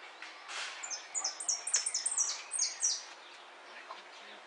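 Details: Competition jilguero, El Federal 2013: a brisk phrase of high, piercing, clipped notes tumbling quickly for about two and a half seconds, then fading into background hiss.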